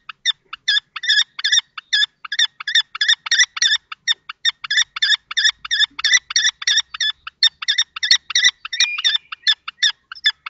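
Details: Young and adult male common kestrels contesting a nest box in Théding, 20 March 2024; a continuous train of harsh, scratchy notes about three a second for ten seconds.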